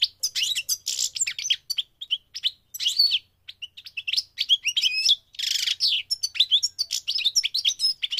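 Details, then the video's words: A migrating goldfinch sings a rapid, tinkling twitter of high chirps and buzzy notes, with dense bursts and brief pauses, and little else in the background. "The singing of the migrating goldfinch"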